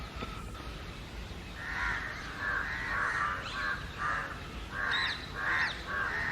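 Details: Several hoarse caws, some with rising overtones, from a flock of house and jungle crows crying constantly against someone, spaced in short clusters after a quieter opening second.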